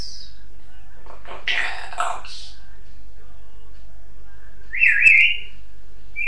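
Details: Pet African grey parrot at home, talking and using some bad language: a brief high whistle, then a raspy, word-like phrase, and later a loud sliding whistle and another short whistled note. Background is quiet.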